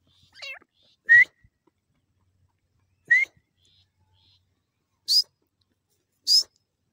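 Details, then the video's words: Grey francolin giving single sharp rising whistles about every two seconds, the later ones pitched noticeably higher, with a faint wavering chirp at the start. "Dakhni Teetar Ki Voice Beautiful awaz"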